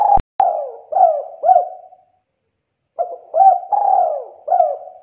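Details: Actively calling spotted dove on a lure recording: a phrase ending in two short coos after a brief click, a pause of about a second, then a new run of hoarse coos with a long falling note.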